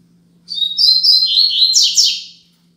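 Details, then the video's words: Double-collared seedeater (coleiro) singing a Braddock-style 'Tui Tui Zel Zel' tutor song used to teach young birds. A high, whistled phrase of sustained notes sweeps down into rapid buzzy trills, over a steady low electrical hum. "Tui Tui Zel Zel Top - Coleiro Braddock"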